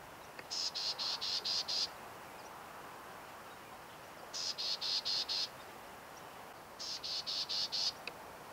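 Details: Black-tailed gnatcatcher at Sweetwater Wetlands, Tucson, Arizona: three bursts of five to six harsh, buzzy notes, each burst about a second and a half long and spaced a few seconds apart, over a quiet low background hiss.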